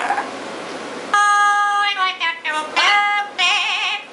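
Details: A pet double yellow-headed amazon indoors sings a loud, clear, voice-like tune with sustained notes, wavering trills and pitch slides after a moment of quiet room noise; it began singing while a macaw was being recorded.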